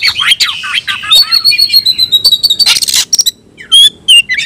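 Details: A kacer, or white-rumped shama, calling a rival to fight: quick chattering notes, then a long steady high whistle, a harsh rasping burst and scattered clear whistled slurs after a short gap.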